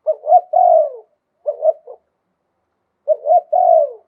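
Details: Low cooing of a spotted dove in Thailand singing lui tan style with a wild-type voice: a full phrase, a shorter clipped one, then another full phrase with a long falling end.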